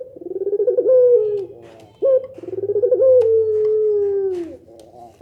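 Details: Two low coos from a Barbary dove of the pelung nangguk style, which prompts other doves to respond; each begins with a stuttering, pulsed run and then settles into a smooth, slowly sinking note.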